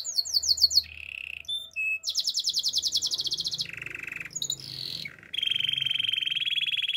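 A Gloster canary sings a fast, varied run of high trills and rolling phrases, shifting between buzzy tours and sharp repeated chirps with no pause.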